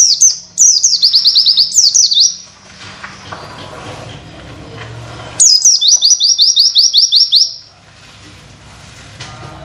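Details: Tutor recording of an Oriental white-eye singing witwit material for other birds: an opening string of quick, shrill, descending wit notes, a few seconds of soft background noise, then a second similar rapid series.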